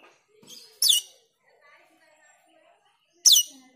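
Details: Jalak keling (black-winged myna) lure call for training cucak keling: two loud harsh screeches about two and a half seconds apart, with quiet murmuring between.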